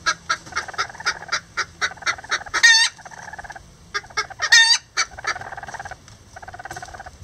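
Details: Lavender Bantam chickens, miniature roosters with a hen, working on a nest together; rapid repeated clucks with two sharp, loud rising squawks midway and a softer purring run of notes near the end.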